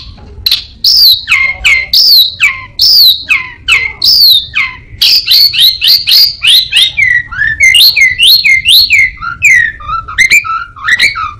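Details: Orange-headed thrush in loud song mimicking other birds and a cat: strongly repeated downslurred whistles, then fast chattering bursts and rolling descending phrases, steady and energetic throughout.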